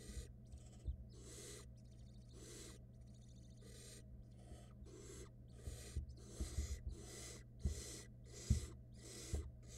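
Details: Nesting barn owls in 2022, the male delivering prey that the female passes to a nestling; a run of rasping, hissing bursts, some with rough textured edges, repeat roughly once a second above a low background hum.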